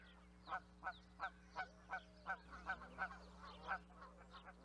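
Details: A regular run of Canada goose honks, about one every third to half second, each clipped and nasal, slowing and softening toward the end, with other geese faintly calling behind and a low hum.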